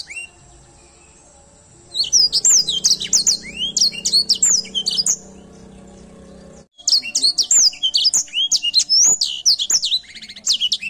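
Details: Edel sanger canary singing actively: after two quiet seconds, a fast run of sharp, high chirps and slurred downward whistles, broken by a brief pause, then resuming with bright, rapidly repeated notes to the end.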